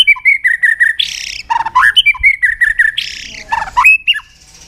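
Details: White-rumped shama singing to lure other shamas into song: repeated clear whistled notes at a steady pitch, broken by harsh buzzy bursts and deeper looping whistles, then a final rising phrase.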